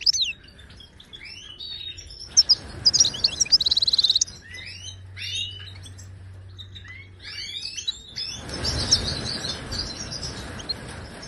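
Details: Wild Moroccan goldfinch song offered to teach caged goldfinches: scattered chirps, then a loud buzzy trill and twittering phrases, with rushing broadband noise covering the final seconds.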